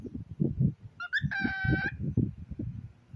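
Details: Pet cockatiel conversing with a stuffed pig toy, producing a quick rising squeak and then a half-second buzzy, harmonic screech, while low, rhythmic voice sounds run throughout.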